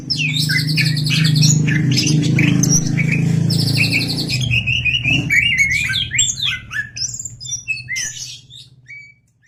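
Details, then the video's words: Greater green leafbird pouring out a busy, chirping song of quick high twitters, short whistles and buzzy phrases, partly masked by a loud low rumble in the first half that fades later. "PANCING BURUNG CAK HIJAU CEPAT BUNYI!!"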